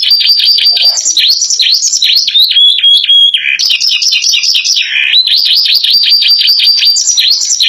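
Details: Canary in full song, its song filled with ciblek and gelatik imitations: rapid, bright repeated chirps and rolling trills, bursting at full volume almost without pause, with a short pure whistle partway through.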